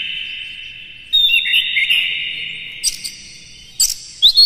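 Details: Morning song of an Oriental magpie-robin, used as a stimulus so captive birds start singing; a sustained high buzzing tone carries a short run of warbled notes, then sparse sharp chirps near the end.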